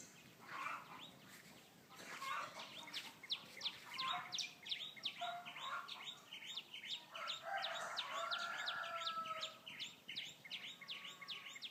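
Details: Birds chirping in fast high series, starting sparse and building into a dense overlapping chatter, mixed with lower warbling notes and a faint hum.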